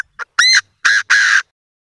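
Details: Chinese francolins calling to each other; a brief soft note, then three loud, harsh, grating syllables, the last one longest, with no other sounds.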